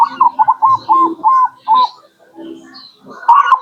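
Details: Zebra dove, local birds, lure call to attract wild perkutut: a run of short rising-falling whistled coos repeated rapidly, then a pause with softer background sounds and another burst of coos at the end.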